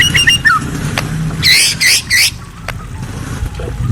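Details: White-rumped shama at night with brief quick chirps, then three loud buzzy harmonic bursts close together and a few faint clicks, against a steady low hum.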